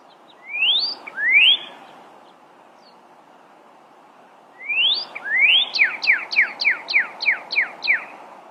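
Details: Pyrrhuloxia gives two upward-slurred whistles, then after a pause repeats them and launches into a run of about eight evenly spaced, sharp descending notes. A low, steady background hiss persists throughout.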